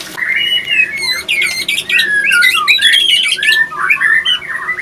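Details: White-rumped shama pair, male and female attacking each other after a failed pairing attempt; dense stream of loud whistled notes and harsh squawks, rising and falling slurs packed together without pause, in a small indoor space.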